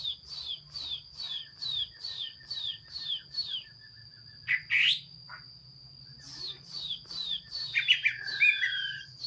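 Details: Chinese hwamei song: a series of evenly spaced falling whistled notes repeated about twice a second, then a pause and a burst of richer warbled phrases, over a low background hum and a steady high tone.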